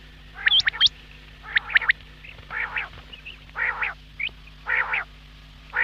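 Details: Quail calls opening with bright hooked whistles, followed by a series of rough, nasal, buzzy notes about once a second, with a steady low hum in the background.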